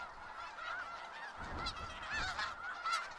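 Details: Snow geese in Skagit Valley, a dense flock giving overlapping nasal honks, steady chorus of barking calls with louder individual honks rising above the din.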